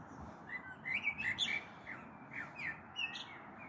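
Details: Blackbird song in the evening of 21 April 2022 with a thunderstorm possibly on the way: a run of short, clear whistled notes and bright chirpy flourishes, repeated several times a second, over soft steady background noise.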